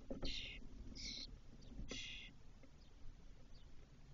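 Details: Spotless starling at a nest box in Doñana National Park, Spain, May 2023, as the eldest chick returns four hours after first fledging: three harsh, buzzy bursts about a second apart, then faint short notes amid low background noise.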